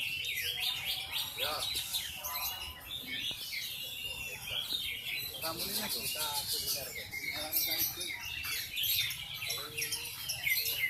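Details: Javan bush lark singing in the ngendang style, a busy run of high chirps, trills and rapid buzzy notes with varied, mimic-like phrases, fairly close and loud.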